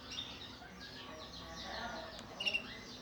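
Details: Morning aviary of canaries and black-throated canaries under a breeding and health check: scattered high chirps and a brief sharp burst of notes, with several birds calling over constant low hum.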